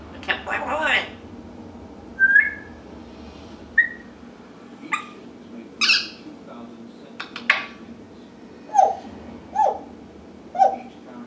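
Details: African grey parrot, indoors, talking and making noise: harsh squawks, short whistles and crisp clicks scattered over eleven seconds, ending with three similar short downward whistled calls about one second apart.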